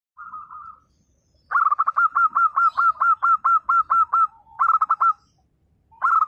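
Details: Lively local zebra dove (perkutut gacor) in 'nembak' song, used to make silent doves reply: loud, clear bursts of rapid staccato coos, a long even series of about a dozen hooked notes, then shorter bursts, in quiet surroundings.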